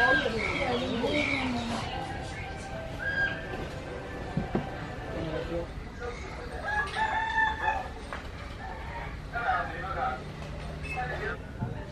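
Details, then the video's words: Rooster crowing in a peaceful countryside village near Pathein, Myanmar, heard from a roadside café: a drawn-out harmonic crow rising then falling over the first two seconds, followed by people talking, scattered birdsong and background traffic. "On entend le bruit des oiseaux, les coqs qui chantent."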